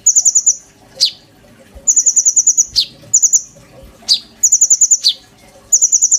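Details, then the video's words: Oriental magpie-robin singing with mimicked filler phrases, used as a master song for a young sunbird: short bursts of very high tinkling trills alternating with single steep descending notes, with a few faint low thumps. "PANCINGAN KONIN GACOR FULL NEMBAK ISIAN TONJOLAN MEWAH, COCOK BUAT MASTERAN KOLIBRI NINJA BAHAN"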